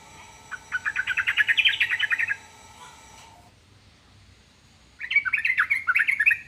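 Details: Yellow-vented bulbul (trucukan) song, said to make any other trucukan answer at once: a fast bubbly chattering phrase of about two seconds, a pause, then a second similar burst of rapid notes.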